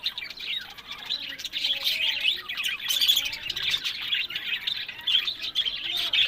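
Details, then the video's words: Captive budgerigars kept for breeding in Larkana, Sindh, chattering together in a dense, continuous stream of high chirps, warbles and short squawks that overlap throughout. "Buddies Parrot Voice"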